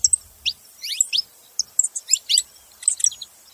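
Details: Saffron finch calling with short clusters of bright, high downslurred chirps separated by brief gaps, with a faint low bump at the start.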